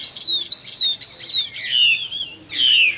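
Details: A captive, largely tame Chinese hwamei sings gently: three clear, arched whistles about twice a second, then richer, falling, slurred whistled phrases.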